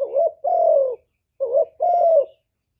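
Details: Clean recording of a spotted dove's full song of calling, urging and cooing, used to rouse other doves. Two phrases, each a short undulating note followed by a longer, steady coo that drops slightly at the end.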